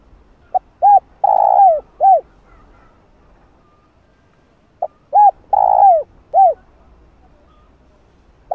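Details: Spotted dove coo phrase for stimulating doves, mixing calling, urging and murmured coos: a soft pip, two arched hollow coos, a long sliding coo and a final coo, repeated after about four seconds of silence.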